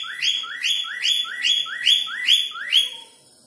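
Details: Cockatiel kept as a pet, whistling a person's name: seven clear upward-sliding whistled notes repeated roughly every half second, evenly spaced, ending abruptly in silence.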